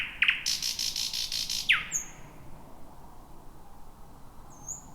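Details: Wild thrush nightingale, the first heard in 2026, singing near midnight at 23:58 in dense bushy thicket: a sharp high whistled note, a dry buzzy rattle, then a downslurred note and faint high whistles.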